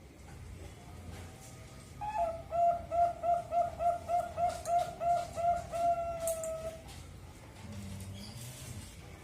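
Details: A zebra dove of the Bangkok strain, raised at a bird farm in East Java, Indonesia, gives a steady run of about fifteen even, bubbling coos, then falls silent against a faint hiss.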